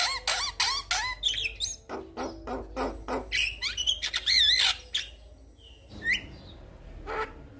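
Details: Male Javan myna, vigorous and in full voice, calling to a female; used as a lure to get lazy mynas singing. Harsh, rasping bursts mix with rising whistled notes and chattering clicks in quick, irregular succession, fading near the end.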